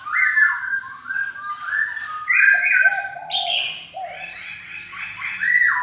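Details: Silver-eared laughingthrush song, indoors: continuous loud warbling of stepped whistled notes, some low and mellow, others higher and bright, with little pause.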